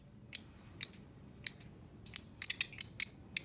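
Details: Lovebird song played to coax silent, lazy lovebirds into singing: sharp, high, squeaky chirps that come singly at first, then bunch into a quicker run of clipped, falling notes.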